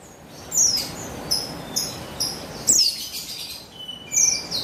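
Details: Female buxtoni white-eye, used as a lure to set males singing, recorded 3 August 2021: rapid series of short high chirps and thin downslurred notes, close together.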